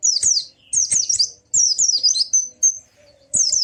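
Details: Song of a white-eye, played to prompt a silent white-eye to sing along. Quick clusters of thin, high, down-slurred whistles come in several bursts separated by brief pauses.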